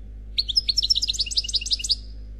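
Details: In the khalwi style, an unmated male European goldfinch delivers a quick, bouncing series of about fifteen high twittered notes, sharp and evenly spaced, over a quiet background.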